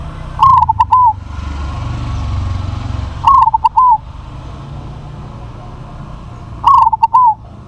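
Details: A crossbred zebra dove with a big voice gives three short, soft cooing phrases, each a quick run of rolling notes, repeated about every three seconds over a low background rumble.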